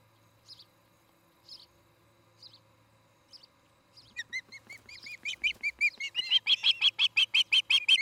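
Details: At a Charlo, Montana nest, an Osprey on a camera recording from an August 2018 evening gives a few spaced, faint high chirps, then breaks into a rapid, loudening chain of piercing whistled notes.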